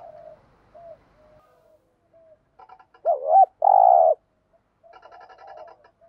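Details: Decoy spotted dove calling to stir up wild doves, Vietnam: faint soft cooing first, then a loud looping double coo followed by a long steady low rolling coo, with quieter cooing afterwards.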